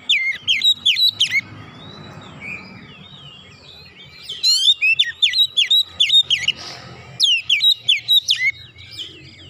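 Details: Oriental magpie-robin, 'nembak' style with 'bongkar isian' display: three runs of quick, emphatic whistled notes that swoop down and up, with short pauses of quiet, scratchy twitter between them.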